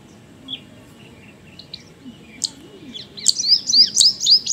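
White-throated kingfisher giving a fast, shrill series of high chattering notes that builds toward the end, after a few scattered thin chirps over faint background hiss.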